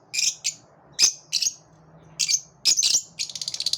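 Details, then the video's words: A group of lovebirds singing together: separate sharp, shrill chirps spaced by short silences, ending in a quick run of rapid ticking notes. "Love birds sing with collective enthusiasm"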